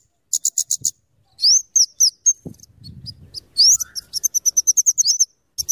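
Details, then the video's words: Scarlet-headed flowerpecker, known locally as kemade or cabe jawa, in full song for luring and tutoring. It gives very high clipped tick series and quick upward-sweeping whistles, with several pauses and a soft low rumble partway through. "suara burung kemade atau cabe cabean gacor cocok untuk pikat dan Masteran"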